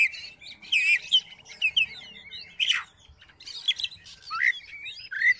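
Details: An Oriental magpie-robin sings, the recording intended to prompt another magpie-robin into singing: irregular whistled and chattering phrases, one harsh descending burst midway, and rising slurred notes toward the end.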